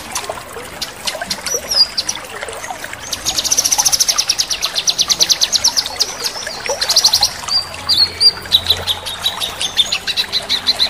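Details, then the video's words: Male cucak kinoi singing persistently with sharp crecetan trills and full tembakan bursts: rapid, high, steady runs of clipped repeated notes, loudest in the middle, over a constant background of trickling water. "Cucak Kinoi Jantan Gacor | Crecetan Kinoi Tajam | Kinoi Full tembakan"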